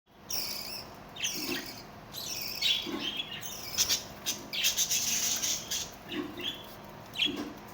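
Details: Budgerigar (Melopsittacus undulatus) chicks in a breeding aviary give high, scratchy chirps and squawks in a steady, overlapping chatter.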